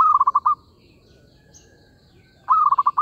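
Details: Zebra dove coo used to lure birds into traps: the tail of one rolling phrase, a pause of two seconds, then another long note dissolving into rapid pulses, with a faint background hum.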